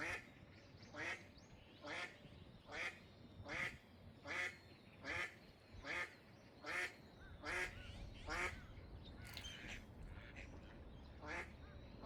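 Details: Eastern spot-billed duck calling loudly: a steady series of harsh, nasal quacks repeated roughly every three-quarters of a second, about a dozen in all, over low rumbling background noise.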